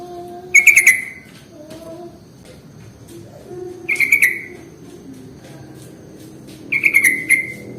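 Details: Sooty-headed bulbul lure song used to draw in bulbuls: three short bubbly whistled bursts of rapid warbling notes, about three seconds apart, with a faint low steady hum between phrases.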